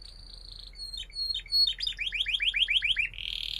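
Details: Canary song used as a lure to teach young canaries to sing: thin high whistled notes, then a rolling trill of repeated sweeping syllables, ending on a steady buzzy tone.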